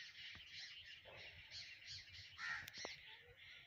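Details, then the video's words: Morning garden birds: repeated harsh cawing calls mixed with high chirping from other birds, steady overlapping chorus with one sharp click partway through. "morning in nature and birds sounds"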